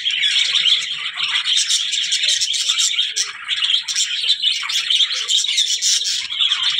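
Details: Steady budgerigar chatter of shrill tweets, buzzy warbles and quick chirps overlapping without a break, as from several birds together.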